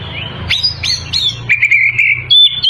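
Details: Oriental magpie-robin in full song meant to draw rivals: rising whistled slurs, then a sustained warbling whistle and a high clear note, over a low hum.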